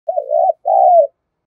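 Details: Spotted dove used as a decoy, cooing to call in wild doves: two low, hollow coo phrases, the first wavering and the second a smooth drawn-out note falling at the end, then silence.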